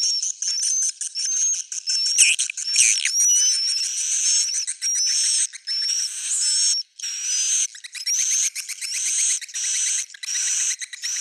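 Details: Swiftlet calls in a recording offered as an old-style original sound: dense, high, chirping twitters with short rising and falling notes, coming in bursts broken by brief silences.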